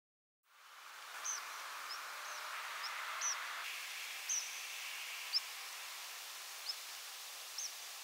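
Tree Pipit's rare secondary call: very short, thin, high 'cip' notes, each a quick rising stroke with a slight hook, given irregularly about once a second over soft hiss.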